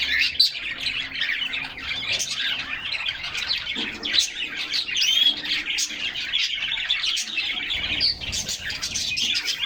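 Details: Several canaries chirping and singing in unison inside their cage in summer sun, recorded by a fixed camera within the cage; continuous dense, high twittering with rapid trilled phrases and an occasional clear whistle.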